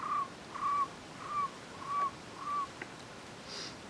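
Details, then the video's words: Cuban trogon (Priotelus temnurus temnurus) singing on 24 February 2017 in Alejandro de Humboldt National Park, Cuba. Five mellow, slightly rising whistled notes, each about a quarter second, repeat steadily roughly every half second over quiet background hiss. "Cuban Trogon, Priotelus t. temnurus, singing"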